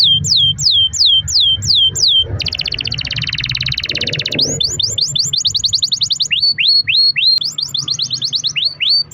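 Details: Domestic canary singing without pause on a lure recording for other canaries: repeated slurred whistles, a long buzzy roll, then fast high trills and rising whistle series; a low rumble is in the background.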